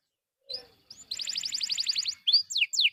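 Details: Canary singing as a prompt for other canaries: a high rapid trill of about a dozen repeated notes, then sharp descending whistled sweeps, clear and loud with no other sounds.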